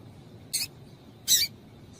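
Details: Female double-collared seedeater giving two brief, bright, rasping chips less than a second apart; the calls serve to stir a male into song. Low steady hiss underneath.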